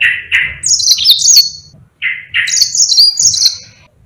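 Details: Yellow-fronted canary kept to train other songbirds, alternating a buzzy mid-pitched note with brighter high rapid trills and slurred whistles, in two similar phrases separated by a brief pause.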